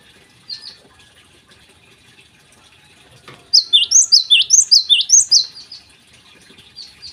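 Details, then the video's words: Java sparrow in the morning, starting with a lone soft chirp and a pause, then a lively burst of about a dozen sharp, high, downward-curling notes in quick regular succession. "gelatik gacor di pagi hari"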